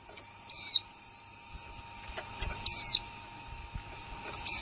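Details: Newly kept female white-eye uttering bright, high, falling chirps in the 'kick mộc' and 'líu' style, three spaced about two seconds apart, with soft rustling and a faint constant hum between them.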